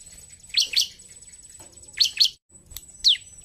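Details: Bar-winged prinia in combative 'gacor narung' song: harsh, buzzy doubled notes given in spaced pairs, followed by a single sharp descending note, over background hiss.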